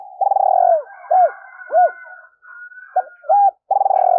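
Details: Female spotted dove calling as a decoy to provoke males: a long vibrating coo, then short arched falling coos, a brief pause, and another long pulsing coo, with a faint high thin tone behind.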